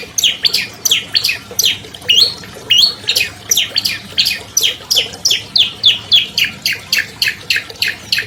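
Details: Champion albino long-tailed shrike in captivity, delivering a fast, even series of sharp, rasping chirps, about two to three each second, each note dropping in pitch, used as tutor song to prompt silent captive birds to sing.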